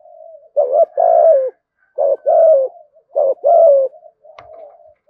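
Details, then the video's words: Cooing of a spotted dove used to lure others, loud 'thúc gù' style: three rhythmic phrases, each a short coo then a longer falling coo, with faint soft humming between and a brief click near the end. "Tiếng chim cu gáy kích bổi { THÚC GÙ, GÁY GỌI, ĐỦ BÀI, GIỌNG TO } CU ĐẤT THÚC GÙ GIỌNG BÀI BẢN"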